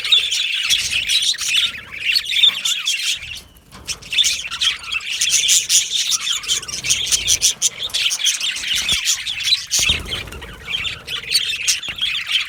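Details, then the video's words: Aviary colony of budgerigars: continuous busy warbling and sharp chirps from many birds, with a brief lull near four seconds before the chatter swells again. "Budgie parrot chirping sounds"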